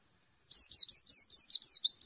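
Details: Merapi dakun white-eye singing with a clear 'plong' voice: after half a second of silence, a rapid series of high, piercing, downward-sweeping notes, about seven per second, in a quiet setting.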